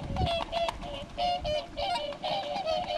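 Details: A flock of around sixty swans gathered in a coastal Japanese rice field on January 3, 2011: dense, overlapping nasal honks and bugling calls from many birds at once, a continuous clamour with a faint outdoor background.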